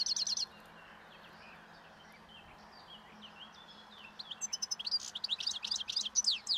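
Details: European goldfinch in the wild, foraging on old thistle seeds beside a road in late winter and starting its breeding song. A short twitter, faint scattered notes, then a fast, liquid run of high tinkling and twittering phrases.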